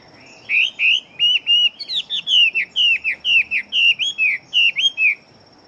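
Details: Chinese hwamei bred for fighting, large-bodied and known for rapid singing. It gives a steady string of about twenty loud whistled notes, each bending up then down, pouring out almost without pause.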